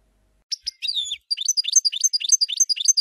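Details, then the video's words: European goldfinch song, probably from a caged bird: a few scattered chirps and a sliding whistle, then a fast run of bright tinkling notes repeated several times a second, high-pitched and twittering throughout. "The Goldfinch , chant de Chardonneret"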